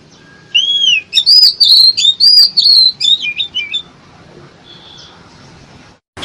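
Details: Bird-trapping lure of an oriental magpie-robin singing: an arched whistle, then loud, high, clipped whistles repeated roughly twice a second, trailing into softer twittering and quiet.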